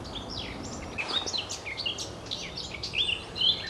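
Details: Eurasian blackcap in song near the Oostplas in Goirle, Netherlands, 24 April 2012; a brisk jumble of high twitters building into clearer, louder whistles near the end, with soft background noise.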